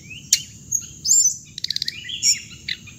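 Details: Hồng hạnh bird recording for trapping playback: a rising whistle, a sharp click, then a fast run of pulsed ticking notes and a wavering high chirp, over a thin steady drone.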